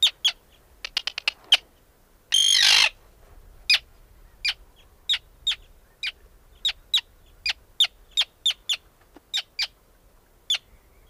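Arctic Tern giving sharp, high, clipped 'kit' notes, about two a second and fairly steady, with one brief rushing burst of noise early on.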